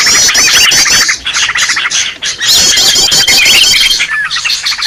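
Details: Noisy lure call of Green leafbird: harsh squawky chatter and fast high trills, a long level whistle with twisting notes later, ending a little quieter.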